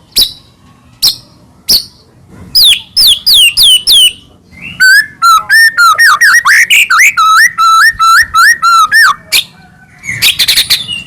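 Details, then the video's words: White-rumped shama, Medan murai batu, singing as a lure for other shamas: spaced sharp notes, then looping high whistles, then a long rapid series of mellow curling whistles, ending in a scratchy chatter. "murai batu gacor AMPUH buat PANCINGAN murai batu agar bunyi"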